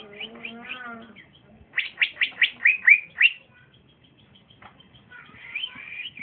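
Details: Young male cucak ijo, a green leafbird offered for sale, sings warbling, wavering notes, then a burst of about seven loud, clipped chirps in quick succession, ending with a short rising whistle; a low hum stays underneath.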